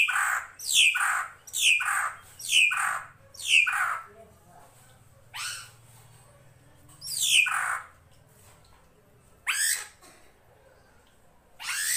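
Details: Drongo, known locally as srigunting krantil, recorded as master song for training cage birds: a fast run of harsh, downward-sweeping chattering notes about twice a second, then scattered rasping bursts, with faint flowing water beneath.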